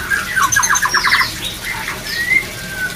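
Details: White-rumped shama song played to boost breeding drive: a fast stuttering trill of repeated notes, then a long smooth rising whistle and softer slurs.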